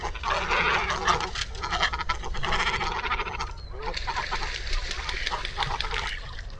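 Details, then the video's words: Great Cormorants (Phalacrocorax carbo) give harsh, guttural croaks and grunts that overlap almost without pause, with a brief lull midway, like a busy colony. "Great Cormorant (Phalacrocorax carbo) Corvo-marinho-faces-brancas"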